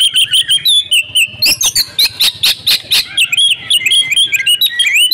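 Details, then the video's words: Female oriental magpie-robin, an energetic caller played to stir silent males. Mixed high chips and short upslurred whistles, broken midway by a cluster of harsh, raspy bursts, then resuming with rising notes. "pancingan kacer gacor ,cocok untu memancing kacer bisu || kacer betina"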